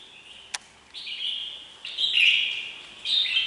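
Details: Red-whiskered bulbul song: bright whistled phrases between 2 and 4k, two to three sustained slurred notes with a short click near the start, over a quiet hiss.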